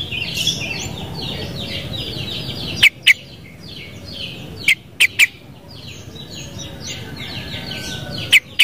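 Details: Sooty-headed bulbul repeating brief paired bright notes every couple of seconds amid a lively, continuous chorus of twittering birds.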